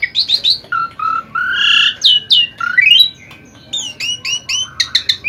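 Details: Asian pied starling in full gacor song: squeaky rising whistles, drawn-out nasal notes and a fast closing series of bright repeated chirps, loud and busy throughout.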